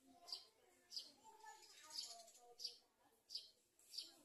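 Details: Garden sunbird feeding its young as locusts approach the nestling; a high sharp chirp repeated roughly every 0.65 seconds, six in all, over faint lower background sounds.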